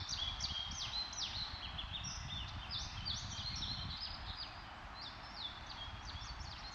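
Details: Downy woodpeckers (Dryobates pubescens) fighting in Lake Co., Illinois, on 8 May 2025 trade a fast, steady stream of sharp, high, downward-slurred chips, overlapping and excited, over a low background rumble.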